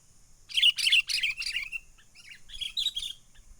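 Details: Lure call of a wild sooty-headed bulbul for bird trapping, 'menggaruda' style: three loud harsh chattering bursts and a short slurred note, followed after a pause by a second, quieter cluster of chips.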